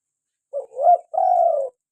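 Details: One clear call from a local spotted dove in full voice: a brief low hoot swelling into a rising, throbbing note, then a short gap and a long, level, mellow coo.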